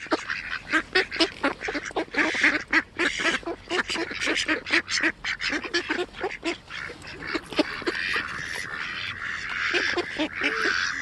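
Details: Swans giving a dense stream of harsh, nasal honking calls, many birds overlapping without pause, some notes rising and falling.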